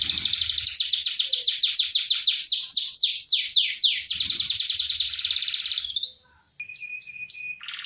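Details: Speedy canary roll for training young singers: a long, even trill of quick downward notes repeated about three times a second, fading, then brief clear pulsed tones.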